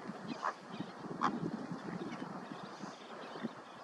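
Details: Bar-tailed godwit (Limosa lapponica) giving two short, nasal, mid-pitched calls about a second apart over a steady low murmur, possibly other birds or wind.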